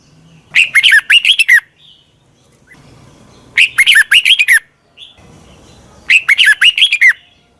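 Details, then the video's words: Red-whiskered bulbul used to lure wild birds: three bubbly phrases of six to eight quick, slurred whistles, each lasting about a second, repeated every few seconds. "Tiếng chào mào mòi chuẩn gọi chim bỗ nhanh về."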